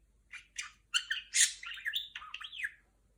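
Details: Indoor female budgerigar doing R2-D2 sounds: a few separate squawky notes, then a loud harsh burst and a string of swooping, electronic-sounding whistles that rise and fall.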